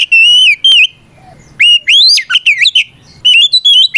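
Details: Oriental magpie-robin, a kept bird singing a loud fighting song meant to provoke rival birds: clear whistled phrases with rising and falling slurs and sharp upward sweeps, separated by short pauses.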